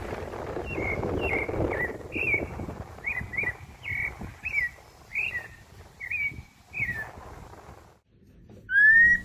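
Pale-breasted Thrush singing a string of short, slurred whistled notes, about two a second, over a soft hiss, then a sharp separate whistle at the end.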